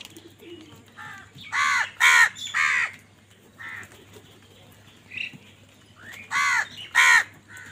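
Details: Crows squabbling over food give loud, hoarse caws in uneven clusters of two or three, short rough notes separated by brief pauses, with softer calls and a low steady hum between bursts.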